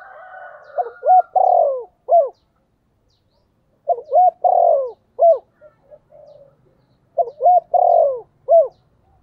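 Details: Decoy spotted dove calling with a voice meant to lure wild birds: three phrases of low, hollow coos roughly three seconds apart, each of quick short notes, a longer swelling coo and a final clipped note, with faint background calls between.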